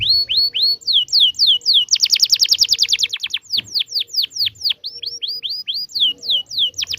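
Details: Canary singing a long, lively song, used as a tutor for young canaries learning to sing: rapid repeated sweeping whistles, a fast trill near the two-second mark, then more downslurred notes in quick series.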